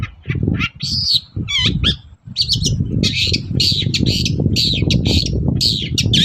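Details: Long-tailed shrike pouring out a dense morning song to make rival shrikes answer: rapid, almost continuous harsh chatter with wavering whistles and grating notes. Heavy low rumble in the background.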